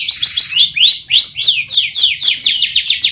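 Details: Canary in long, prolific 'gacor' song used as a lure to get other canaries singing: quick runs of high down-slurred notes, then slower rising sweeps, then fast repeated descending trill phrases, loud and unbroken throughout.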